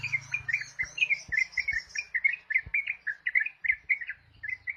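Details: A ruby-throated bulbul repeats short, sharp chirps in the trucuk manner, close-spaced and jerky, with a soft background hum at start and end.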